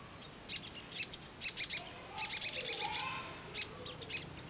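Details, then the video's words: Sogon, the crimson sunbird, in ngleper song, used to draw a quick answer from other sogon. High sharp chirps come singly, then in a fast run of about seven notes, then spaced chirps again. "SOGON MANAPUN CEPAT NYAUT NGLEPER"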